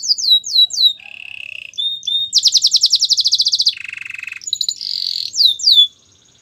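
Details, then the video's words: Belgian canary song for training canaries: swooping chirps, a low buzzy tour, a loud pulsed trill, a lower rattling roll, then a flat whistle and final quick downslurred notes, varied and rapid. "Warm up your belgian canary!! The best canary training"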